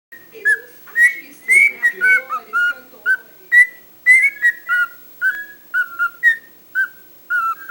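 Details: Pet cockatiel said to talk too much, giving a string of short clear whistled notes near one pitch, some sliding up or down, repeated about twice a second with brief gaps, in a quiet room.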